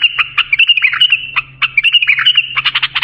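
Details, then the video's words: Bulbul song used for tutoring young bulbuls: bright warbled phrases of quick notes, a brief pause mid-way, then a burst of rapid clipped notes at the end, over a faint low hum. "بلبل للساناته إبداع يفيد للتخريج صغار بلابل"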